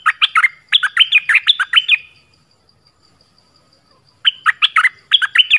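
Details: Dok Taeng bird in full voice with varied phrases: fast runs of clear, bouncing whistled notes, a two-second gap, then two more brisk bursts of similar slurred notes.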